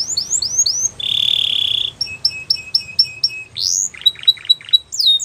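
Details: Belgian canary giving a varied song: curving whistles, a sustained buzzy note, a run of clipped repeated notes, and a few sharp rising and falling whistles.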